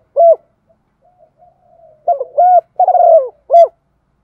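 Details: Female spotted dove coo used to stir males into calling during wind and rain. One short isolated coo, then a faster run of low, hollow, slightly descending notes ending in a clipped final coo.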